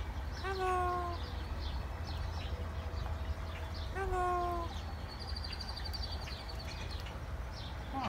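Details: Talking African pied crow at a zoo in Glendale, Arizona, twice uttering a hoarse, speech-like "hello" about three seconds apart, then a thin high whistle over a steady low rumble.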